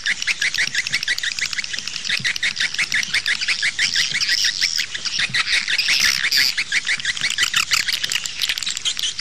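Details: Swiftlet call recording used outdoors to attract swiftlets: dense, rapid high chirps and twitters, about three per second, overlapping into a steady chattering chorus.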